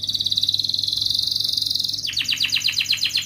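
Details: Canary in full song in the ngerek mbarong and ngerol styles, played as a lure to get lazy canaries singing: a long, even, rapid high trill for two seconds, then a series of quick descending whistled notes.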